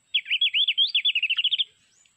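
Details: Mountain white-eye from Sulawesi, an MP3 recording used as a trapping lure: one quick high warbled phrase of about fifteen looping whistled notes, speeding up toward the end.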